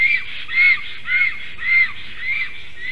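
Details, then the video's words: Black storks, a male and female pair at their tree nest, calling while defending it against a strange intruding stork, 12 July 2023 at 11:42 am. Hoarse, arched, squealing notes repeat about every half second over a faint low hum. "A strange Black Stork disturbs. Male & female are defending"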